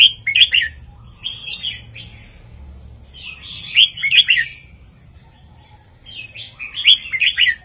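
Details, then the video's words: ['Red-whiskered bulbul master song in southern style 3-4-5, for training caged birds: four bright, warbled phrases, each about a second long, with short pauses between them.'] "นกกรงหัวจุกร้องแม่บทเพลงใต้ 3-4-5"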